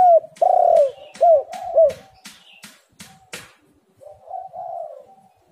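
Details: Spotted dove lure call. Three loud, clear coos, each bending downward, open the clip, followed by quieter humming coos. Sharp clicks are heard between notes.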